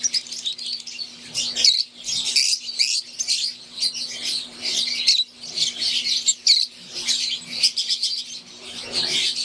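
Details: Flock of caged Fischer's lovebirds, wild-type green and Euwing, produces a long run of shrill, overlapping chirps and chatter, with short pauses between bursts and a steady low hum behind.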